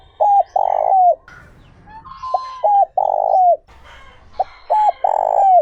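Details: Spotted dove giving its 'giọng trơn ròng' coo, played to excite wild-caught doves: repeated low phrases, a brief double note leading into a long hollow coo that bends downward, background bird twitters in the pauses.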